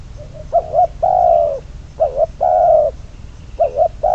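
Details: Decoy spotted dove, bird number 22, used for trapping, repeating its cooing phrase about every one and a half seconds: a quick double hoot, then a long mellow falling coo, clear and close over low hum.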